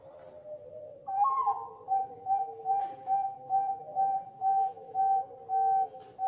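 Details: Bangkok-type zebra dove, kept by a breeder in Malang, Indonesia, singing: a long opening note followed by a steady run of short, clear cooing notes about twice a second, with a second lower voice cooing underneath.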